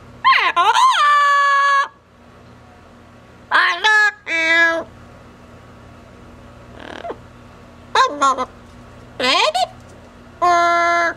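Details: Caged pet double yellow-headed amazon, female, talking and whistling during a cage outing, with a long harmonic call followed by several short choppy vocal phrases spaced across eleven seconds in a quiet room.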